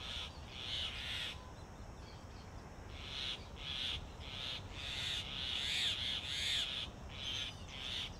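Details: In Delhi's summer heat, a male Grey Hornbill feeds a lizard to his female, who is sealed inside a tree-trunk nest hole while incubating eggs. Rasping high squeals are repeated roughly every half second, with brief pauses between runs.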